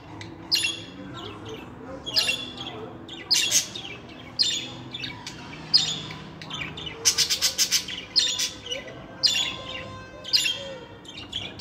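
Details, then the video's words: Budgerigar chatter for training pet budgies to sing; a steady string of buzzy chirps and squawks, with a quick rattling burst of clicks in the middle. "KONUŞTURMA MUHABBET KUŞU SESİ 2022 - KONUŞAN MUHABBET KUŞLARI ÖTME SESİ"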